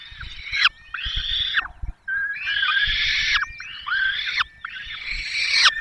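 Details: Peregrine falcons at a nest in the Barycz Valley, Poland, on 5 May 2022; the male brings a small bird and the female feeds the chicks. Harsh, drawn-out wailing calls with downward-bending ends come in long bursts, one after another.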